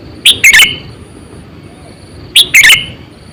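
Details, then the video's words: Sooty-headed bulbul decoy, 8–9 years old and used to lure birds, giving two loud phrases of quick bubbly, slurred chirps about two seconds apart, with low steady hiss between. "Suara Burung Kutilang Gacor,100%Suara kutilang Asli"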